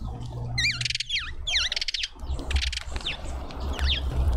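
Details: Hungry Cape white-eye returning to a garden feeder in suburban Pretoria, South Africa; loud, ringing notes that swoop sharply downward, given in close clusters, mixed with rapid buzzy bursts, against a faint low hum.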